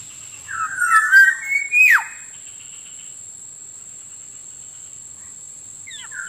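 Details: Black-naped oriole (kepodang) lure call used to attract wild birds: a harsh, nasal note wavering in pitch for about a second, rising into a short whistle and then swooping sharply downward, followed by quiet and a brief faint note near the end. A steady high electronic tone runs throughout.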